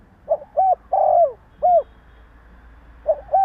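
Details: A Vietnamese spotted dove gives its provoking call to rouse other doves. One full four-note phrase with a long sagging croon at its centre, then after a pause the first two notes of the next phrase.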